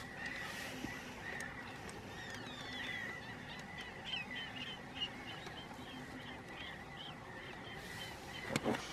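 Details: Chilean flamingo courtship at a Patagonian lagoon near Trelew, Argentina. A busy chorus of short honking and yelping notes runs almost continuously, many birds calling over one another, ending with a louder rustle.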